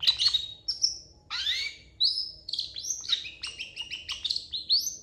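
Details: Long-tailed shrike singing a varied, mimicry-filled song for training other contest shrikes: sweeping whistled slurs, rising and falling squeaks and quick chattering notes strung together without pause, over soft background hum.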